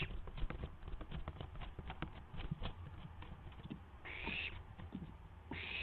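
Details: Barn owl owlet testing its wings, from a live camera on April 12, 2016, just after midnight. A run of soft thumps and scuffles like flapping is followed by two harsh, noisy hissing screeches near the end.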